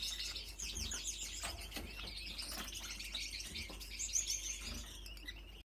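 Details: Courting male Gouldian finch, single factor yellow and split blue, singing to attract females: rapid high twittering chirps and thin buzzy phrases throughout, a brief louder note near the end, low hum underneath, then the sound stops abruptly.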